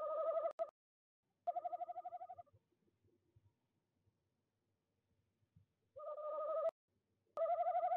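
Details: Wild tawny owl calling during a nest-box visit in De Mortel, Netherlands, on the evening of 26 January 2021 at 19:33, on a livestream camera. Four wavering, pulsed hoots arrive in two pairs, with quiet rustling between them.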